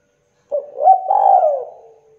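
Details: Local spotted dove, gacor (vigorously calling), used to prompt young doves to call: a single drawn-out coo, rising then sliding down, with a short note before it, in a quiet setting.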